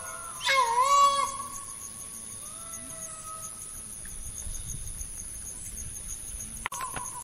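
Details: A single loud, harsh green peafowl call sounds early, strongly harmonic and briefly falling then level. Quiet background follows, with a constant high whine and a sharp click near the end.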